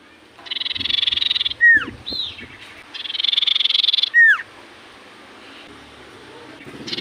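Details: Common iora singing in full voice to make other ioras answer: two rounds of a harsh, rapid buzzing trill, each ending in a loud down-slurred whistle, with an arched whistle between them and quieter background afterwards.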